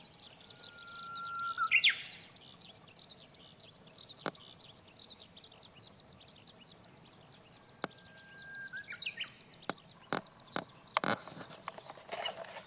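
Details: Japanese bush warbler singing on 10 June 2017 around 08:45: twice a steady, level whistled note slides into a quick rising, warbled flourish. A dense background chorus of small high chirping birds and several sharp clicks are also heard.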